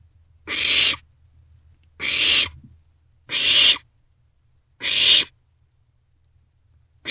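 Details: Barn owlets passing a meal back and forth in an owl box, early morning of 27 March 2024; four harsh hiss bursts spaced about one and a half seconds apart, faint scuffling underneath.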